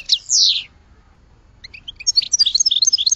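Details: A goldfinch gives a buzzy downslurred note, a pause, then soft single chirps building into a quick, tinkling run of high twittering notes.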